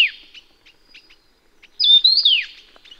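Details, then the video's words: Endemic Taiwan yuhina from Taiwan's mountain forests: a short downslurred note, scattered soft chips, then a loud high warbled whistle ending in a falling sweep. "冠羽畫眉/Taiwan Yuhina"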